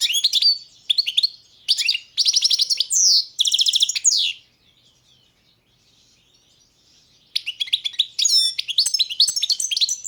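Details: Balkan goldfinch competition recording from the 2022 online World Championship in Goldfinch Song: several loud, fast trilled and twittering phrases, a silent stretch of about three seconds, then a renewed burst of bright chattering song.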